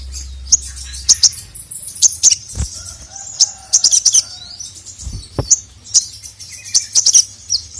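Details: Sogon calling a male, recorded for training other birds: spaced, very high, sharp tsip notes, some doubled, with faint low whistling tones in the middle.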